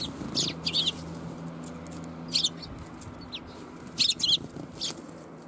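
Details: Sparrows gather to be fed at a Tenmangu shrine on New Year's Day 2021, uttering quick twittering chirps in short bursts at the start, middle and toward the end, against quiet ambient noise.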